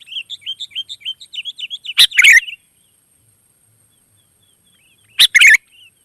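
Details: Wild sooty-headed bulbul giving two bubbly chattering phrases about three seconds apart, after a quick series of thin high chirps from another bird at the start.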